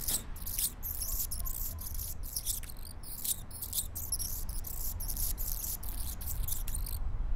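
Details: Male Anna's hummingbird singing in the morning from his favourite perch, recorded from just below it. A thin, scratchy, insect-like song of rapid high buzzes and clicks over a steady low rumble.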